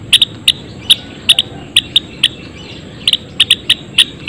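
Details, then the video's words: Sparse, sharp, high chips from a Java sparrow in a colony cage, single notes spaced roughly a third of a second apart, with a short pause before a closer-set cluster. "Suara Kicauan Gelatik Belong Di Kandang Koloni!"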